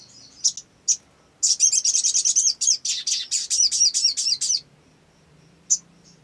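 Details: Olive-backed sunbird singing as a lure to prompt others: a few sharp high notes, then a long fast run of rapidly repeated high chips lasting about three seconds, and one last note.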